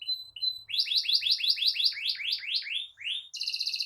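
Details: Canary singing to encourage other canaries: two short whistles, then about a dozen rapid falling sweeps in a row, closing with a fast high rattle.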